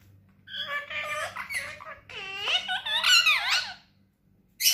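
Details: One of three tame, friendly pet parrots talking like a human indoors: squeaky, wavering, speech-like phrases with bending tones and giggle-like notes, then a short silence and a sharp closing squeak.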